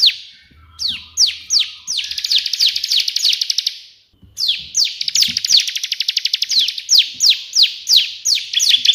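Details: Bar-winged prinia (ciblek) singing busily in the 'tembakan' style of the white prinia. Fast high downslurred chips run into dense buzzy trills, with a brief pause midway before the rapid series resumes.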